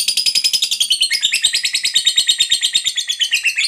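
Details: Fighter lovebird giving a long ngekek chatter, used to prompt quiet lovebirds to sing: a fast, harsh, rattling stream of pulses, about eight per second, shifting slightly lower in pitch partway through.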